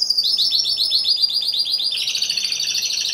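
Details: One Timbrado Español canary at a November 2015 song competition: a fast string of high, evenly repeated slurred notes, then a brighter, buzzier rattling trill.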